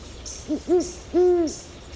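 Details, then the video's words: Great horned owl (Bubo virginianus), Ecuador recording: three low hoots growing longer, a soft short note, a fuller one, then a long, even, booming hoot, with high insect drone in the background. "Great Horned Owl Sound"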